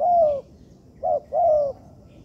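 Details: Spotted dove (tekukur) cooing, recorded as training material in an artificial yard: a long descending coo, a short clipped note, then another drawn-out falling coo, low and mellow against quiet background.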